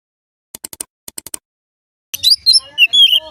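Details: Oriental magpie-robin song, said to prompt other magpie-robins to sing: a few soft dry clicks, then a burst of bright, loud whistled notes that slide up and down, with a faint low hum underneath.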